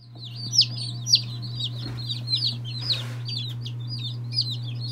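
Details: Loud, separate high peeps from day-old mixed-breed chicks, Lavender Orpington, Marans, Silkie, Serama, Legbar and Salmon Faverolles, spaced about twice a second with softer peeps between, a brief rustle, and a constant low hum behind.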